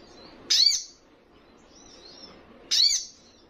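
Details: A young Little Spiderhunter (sogon trotolan), said to be very vocal and to provoke rivals, utters two loud, sharp, high descending notes about two seconds apart, with soft thin twittering between.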